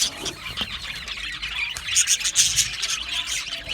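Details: Budgies squeal and chirp in high, shrill bursts over a background of steady twittering chatter.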